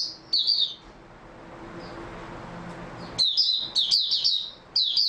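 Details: Oriental white-eye singing on 3 March 2022: a brief high twittered phrase, about two seconds of near silence, then a lively run of rapid, slurred, high-pitched chirps.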